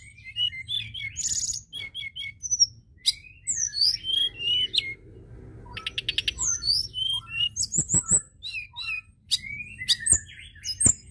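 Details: White-browed shortwing (tledekan gunung) in sustained lure song: long tumbling sequence of high twitters, chattering trills and slurred whistles, punctuated by a few sharp clicks.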